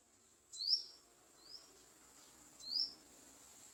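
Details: Garden sunbird near its nest with young being fed: three short, high, upward-slurred squeaks, the middle one softer, over a faint background hiss.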